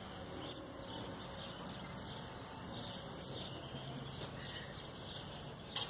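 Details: A recently started young singer, the brother's tame goldfinch, produces scattered, thin, high chips and brief twittering notes, spaced irregularly over a quiet, steady background hiss.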